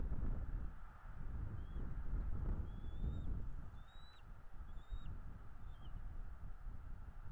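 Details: At a northeast Florida nest watched by a camera on 9 February 2022, a bald eagle gives several short, high, thin whistled chirps, some slurred downward, spaced irregularly under a constant low roar of wind and distant rumbling.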